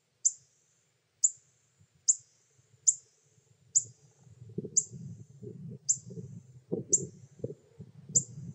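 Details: Pyrrhuloxia chicks begging as the male parent, a hand-fed wild bird, feeds them in summer at Terlingua, Texas: sharp high chip notes, each dropping slightly, repeated about once a second, over low rumbling handling or wind noise.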